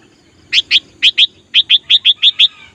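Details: Sooty-headed bulbul in full voice, used as a decoy to lure wild bulbuls during trapping practice: eleven bright, bubbly chirped notes, mostly in quick pairs, over roughly two seconds.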